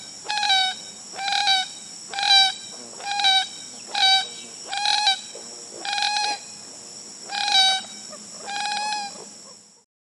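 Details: Common gallinule in Wisconsin giving a series of loud, nasal, harmonic squawks, about nine notes spaced roughly a second apart, fairly even in pitch and strength, with a steady high-pitched hiss or insect drone running beneath.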